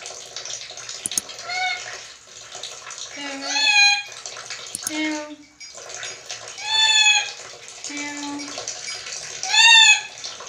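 A black-capped lory gives three drawn-out, meow-like wails about every three seconds, each rising then falling, over a steady hiss like running water.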